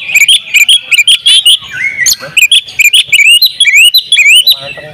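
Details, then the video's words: Champion oriental magpie-robin in open-beaked song full of fill-in phrases, a tutor recording: burst of loud clipped chips, then a lower slurred note and a flowing sequence of rising whistles and buzzy trills, steady and strong. "masteran kacer juara buka paruh full isian ngobra"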